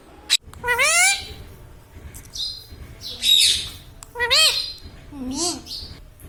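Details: Talking pet Indian ringneck parakeet calling indoors: a series of short arched, harmonic voice-like notes and a few hissy high bursts spread across several seconds, amid low room noise.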